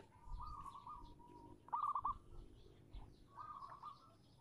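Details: Female zebra dove calling to a male: faint bursts of quick, bubbly cooing notes, each burst a short rolling trill, heard three times over a low rumbling background.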